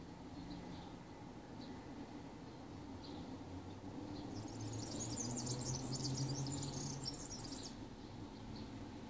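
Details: Serin singing in Riga's Ķengarags district, Latvia, 13 June 2018: after a few faint distant chips, a three-second burst of rapid, very high, jangling and buzzy twittered notes, over constant low city hum.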